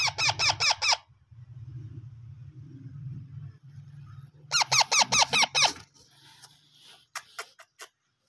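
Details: Hand-fed parrot chicks producing two bursts of rapid, high, harmonic begging squeaks, roughly five in a second, over a low droning hum, followed by scattered clicks.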